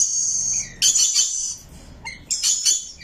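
Rainbow lorikeet giving shrill, high, hissy screeches and chirps in two bursts separated by a short pause, with a quick sharp note between them.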